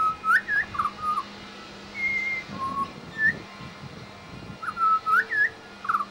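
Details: Australian Pied Butcherbird in suburban Brisbane, mimicking local sounds while singing: clear, pure whistled notes and short slurred phrases, some rising, some falling, with brief pauses between, over a low steady hum.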